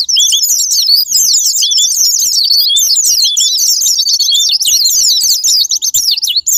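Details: Sparring-partner lure recording of Japanese white-eye, meant to stir kept birds into song: continuous, crowded high chirps and quick up-and-down whistled slurs pouring out without a break.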